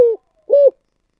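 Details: Spotted dove cooing in the style known locally as giọng thổ sấm: two short hollow coos, the first falling slightly, the second a level rounded note about half a second later, then silence.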